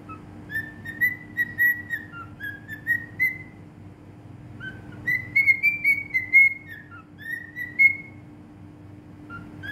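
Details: Singing cockatiel recorded in Bahrain delivers two phrases of sweet whistled notes, each gliding upward and then held level, separated by a short silence, with a soft continuous hum underneath.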